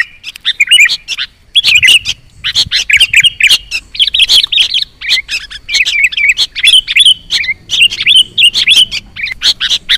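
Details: Sooty-headed bulbul chicks beg with harsh, raspy chirps, several per second in dense, nearly unbroken bursts, high and insistent, used as a bird-luring sound.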